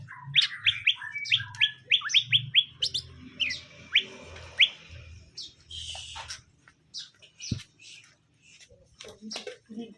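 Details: Caged greater green leafbirds, a male and a female, being paired so they settle together; a quick run of short rising chirps over the first five seconds, then scattered sharp notes with low background hum.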